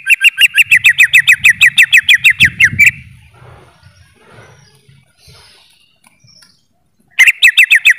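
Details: Greater green leafbird pouring out a rapid chattering run of about eighteen crisp notes in three seconds, then falling silent for several seconds before the same fast chatter starts again. Quiet low noise during the pause.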